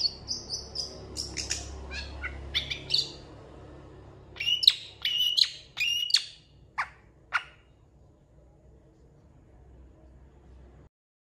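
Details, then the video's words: Long-tailed shrike singing actively, recorded as a tutor for training contest shrikes, its song said to include cat and chicken imitations; scattered high chirps and short whistles, then a burst of sharp notes that fade to quiet. "MASTERAN CENDET GACOR"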